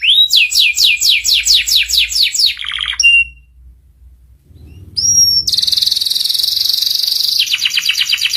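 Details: Canary song used as a tutor for young canaries to learn quickly, in the ngeriwik style: a run of rapid, repeated rising high notes, a short break, then a dense, buzzy, high-pitched trill held for several seconds.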